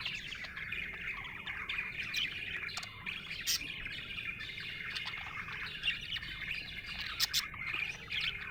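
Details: Budgerigar in a happy mood, chirping steadily: dense, busy warbling chatter of squeaky notes that runs without pause, broken by brief sharp clicks.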